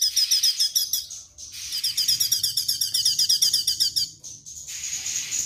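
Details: A straw-headed bulbul sings a fast, high chattering song of sharp, clipped notes, about four a second, in long bursts with short pauses.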